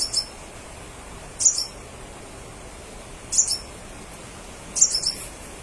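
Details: Lively crimson sunbird song meant to provoke replies from others of its kind: four short, very high, sharp chirp bursts spaced roughly one and a half to two seconds apart against a soft background hiss.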